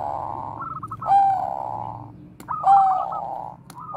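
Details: Zebra dove (Bangkok perkutut) singing koar-koar, a song used as a lure: two full phrases of rippling stuttered notes running into long, hollow, steady coos, with a sharp click between them.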